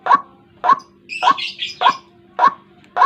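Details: Lure sound for catching White-breasted waterhens at dawn: strong, rasping croaks at regular half-second intervals, with a burst of high, squeaky chatter from another bird midway.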